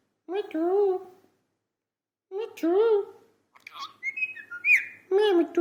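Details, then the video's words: Two drawn-out voice-like syllables from a talking parrot, then a string of whistled notes and a final harmonic call. "parrot talking 🐦. talking parrot"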